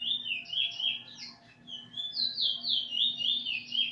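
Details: Eurasian bullfinch learning its song from a tutor bird, nearly finished, recorded 13 August 2020: clear whistled phrases, each note falling slightly, repeated about four times a second in a steady run. A constant low hum sits underneath.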